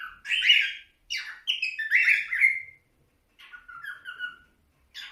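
A cockatiel whistles a run of clear, warbling phrases with brief pauses between them.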